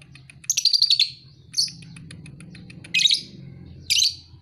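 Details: Lovebird aged two and a half months, called a fighter. A short burst of rapid high chirps is followed by separate shrill squeaky calls about a second apart over a faint low hum.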